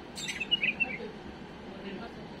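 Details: Tame bulbul singing a mistake-free song for tutoring young birds: a brief burst of short warbled notes early on, then quiet with a low background hum.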